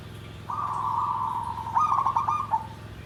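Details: Perkutut (zebra dove) song, style nggandem gedhe garing: one long smooth level coo that runs into a fluttering, warbled cluster and ends with a short clipped note, over faint constant low background hum.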